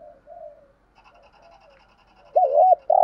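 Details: Decoy spotted dove luring wild doves: faint, low, murmured coos at first, then a loud, wavering hollow coo near the end, cut off by the start of another.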